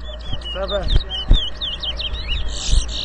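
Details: A short burst of fast, high, twittering song from a towa towa at a 2022 whistling competition in Rosehall Town, Guyana, ending in a buzzy trill, with a human voice and knocks underneath.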